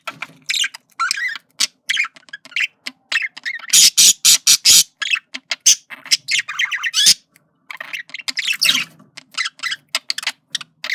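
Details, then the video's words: Male budgerigar flirting in a room, long energetic warble of chirps, clicks and rasping buzzes, with a loud run of harsh noisy squawks near the middle before the chatter resumes. "Male Budgie/Parakeet Sounds Of Flirting"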